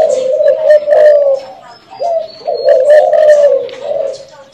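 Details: Spotted dove kept by a customer in Saigon, a frequent cooer; two long, loud low cooing phrases separated by a short pause near the middle, close-up and harsh, recorded indoors.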